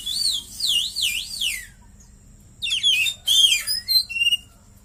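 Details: Caged White-rumped shama (kacer) trained with a cililin fill, opening with a wavering, rising-and-falling whistled trill, then a pause and a rapid jumble of sharp whistled and chattering notes.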